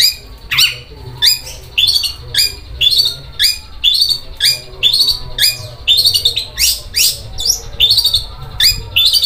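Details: Long-tailed shrike giving rough, sewing-machine-like song: separate harsh rasping notes and squawks, roughly two a second, some with downward-sweeping tails, varying in shape from note to note.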